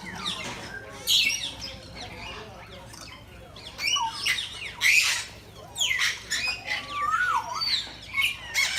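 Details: Crowd of birds calling randomly in Bangabandhu Sheikh Mujib Safari Park, Gazipur, Bangladesh: loud bursts of shrill squawking every second or two, mixed with wavering whistles and chatter.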